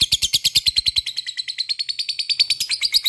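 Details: Unbroken ngekek chatter from a lovebird, played to coax other lovebirds into song: rapid, rhythmic harsh high notes, roughly eight per second, steady through the whole stretch.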